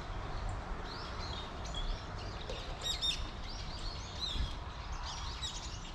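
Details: A flock of plump Eurasian tree sparrows in a persimmon tree, giving scattered short high chirps and twitters at irregular intervals, a few sharper notes standing out, with constant low-pitched background noise.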